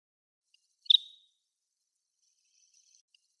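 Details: A single abrupt, high-pitched note with a short buzzy tail from a wild Greater sand plover standing on a lawn on Yonaguni Island, Japan, followed by a faint, thin, high trill.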